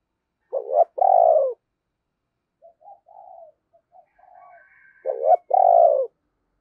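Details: Decoy spotted dove cooing, its call used to lure wild doves. The bird gives two low, hoarse coo phrases, each a quick stuttered double note followed by a longer rolling coo, with softer short notes between them.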